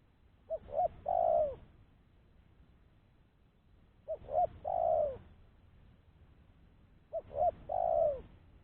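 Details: Spotted dove call meant to draw in other doves, three evenly spaced phrases about three seconds apart, each two quick coos and a lengthened descending coo, otherwise quiet.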